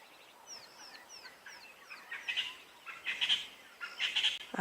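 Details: At sunset on a South African safari on 24 January 2022, with lions nearby, ground birds give harsh, scratchy alarm calls about once a second, after a run of thin, high, descending whistles from another bird.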